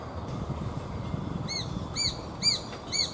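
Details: Adult Japanese sparrowhawk calling repeatedly while tearing at a hunted small bird, two newly fledged young nearby: four short arched, ringing notes about half a second apart over a steady low rumble.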